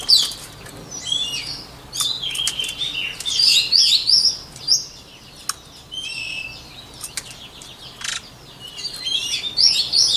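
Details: Voice-training song of a white-rumped shama: a loud opening whistle, then clusters of rapid twittering and fluty slurred notes with quieter gaps, and sharp clicks scattered throughout.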